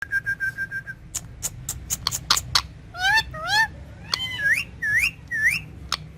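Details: Green ringneck parrot talking with a mirror in Urdu and Hindi; a steady whistled tone opens, then sharp clicks and a run of rising and falling speech-like notes, several in quick succession.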